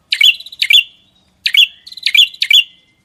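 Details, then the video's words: Songbird singing in a masteran recording: loud bright notes that slur downward with a buzzy edge, given in pairs and a triplet with short gaps. "Masteran Burung Gacor"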